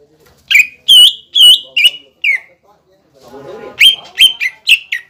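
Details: Cucak ijo lure song to rouse young birds: loud whistled notes with falling slurs in two short bursts, separated by a murmur of low sounds.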